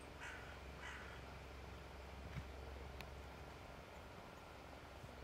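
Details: On 20 August 2023 at Žale cemetery, Ljubljana, a Great Spotted Woodpecker gives two sharp, harsh 'kik' notes about half a second apart, over a steady low hum with a faint click later.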